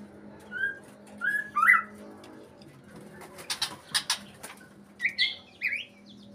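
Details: White-rumped shama in breeding condition giving several mellow rising whistles, then a run of sharp clicking notes and a final pair of slurred whistles.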